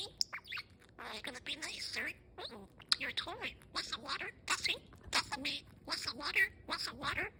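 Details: Budgerigar (Melopsittacus undulatus), blue male named Kosmos, 8 months old, chattering rapidly in squeaky, buzzy mimicked English speech, words run together amid warbles and chirps.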